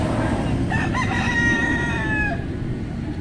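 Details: White Leghorn rooster, one of three domestic males, crowing beneath a constant low rumble of background noise; the crow is a strained, wavering opening that levels into a sustained tone and then drops away at the end.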